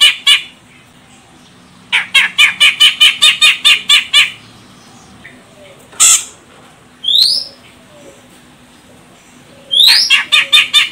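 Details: Female grey-cheeked bulbul of the Medan, Sumatra form, calling as a lure to make males sing: bursts of about nine rapid, harsh chattering notes separated by pauses, with a few sharp upslurred whistles between bursts.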